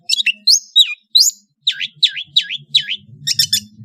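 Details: Varied song of a Madura long-tailed shrike: a few high squeaky notes, then a run of four clear V-shaped whistles that dip and rise, ending in scratchy high chips. A soft low rumble is in the background.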